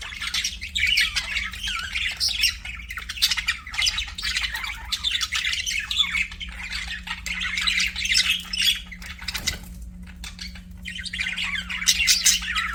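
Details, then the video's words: Budgerigar chatter: a dense, nonstop warble of scratchy chirps and squeaks that runs almost unbroken for about nine seconds, pauses briefly, then picks up again toward the end. A faint steady hum sits underneath. "BUDGIE CHIRPING SOUNDS"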